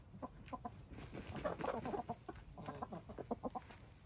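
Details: Several hens, gray, lavender, blue and black, dust bathing and throwing dirt; soft, rapid clucks in short irregular runs with low scratchy rustling of dirt beneath.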